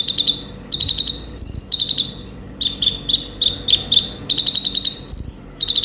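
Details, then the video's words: A sunbird sings in quick bursts of bright, high chips, each run about half a second long, broken by thin upward-sweeping whistles; nothing else is heard. "suara burung konin gacor full isian"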